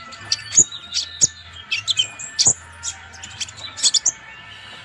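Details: Purple-throated sunbird, known locally as konin, singing actively in a recording meant as a master for training other birds: rapid high thin chirps and short sharp twittering notes in an uneven stream, over a steady low hum.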